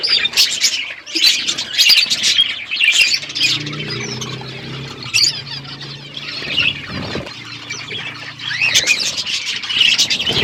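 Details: Parrot eating food, February 25, 2024: busy high chirps and short squawks in clustered bursts, with a low steady hum underneath through the middle section.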